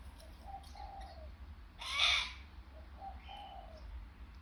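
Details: A sulphur-crested cockatoo (Cacatua galerita) gives a single harsh, raspy screech, with softer whistled notes before and after, over a low background rumble.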